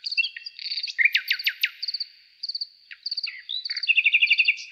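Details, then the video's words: Night-time forest nightingale song with bright descending whistled slurs, brief chatters and a closing run of rapid repeated notes, against steady high-pitched insect chirping. "How beautifully the nightingale sings"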